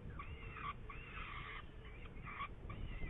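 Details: Saker falcon in Hungary, 8 May 2019, near prey: several drawn-out, slightly wavering harsh calls with short gaps between, each ending abruptly, over low rumbling noise.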